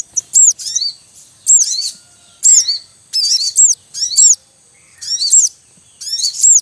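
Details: Javan munia male calling in the wild while chicks are at the nest: bursts of shrill, arched chirps repeated roughly once a second, each burst a tight cluster of high squeaky notes.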